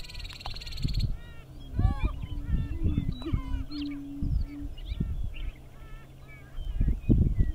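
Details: Greater prairie chicken males on their lek at Wray, Colorado: a low drawn-out moaning note plus scattered cackles and whoops, over loud low rumbling noise.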